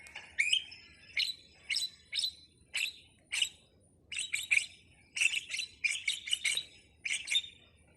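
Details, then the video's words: Starling giving a series of harsh, broadband chirps in short bursts, single notes and quick doublets spaced irregularly, with a faint low hum underneath. "suwara //burung jalak//"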